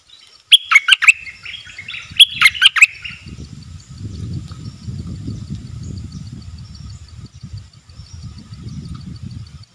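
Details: Two rapid, liquid phrases of sharp chirps from a wild bulbul staying away from a cage, presumably nesting with chicks, followed by a steady low rumbling background noise for the rest of the recording.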